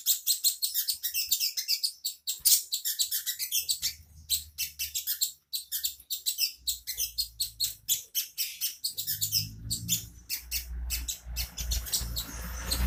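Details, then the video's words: Unidentified bird's song, suggested as master material for training white-rumped shamas and magpie-robins: a long run of fast, high, chattering chirps, with a low rumble of background noise rising toward the end. "Suara burung yang satu ini cocok buat masteran muray batu, kacer dll"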